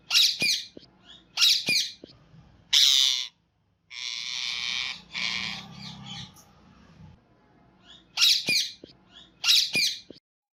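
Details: Green parrot calling: harsh, raspy squawks given in pairs, then a longer noisy, garbled stretch in the middle before more paired screeches, with a low background hum.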